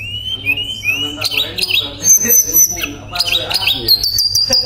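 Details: Shortwing, tledekan pring, singing loudly for therapy with nembak and ngerol: three rising whistled slurs open, then dense chattering, a long held high whistle and rapid scratchy notes.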